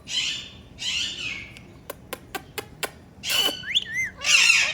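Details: Pet talking ringneck parrot: two grating squawks, then six crisp clicks in quick succession, followed by further harsh screeches mixed with warbling, bending whistled notes.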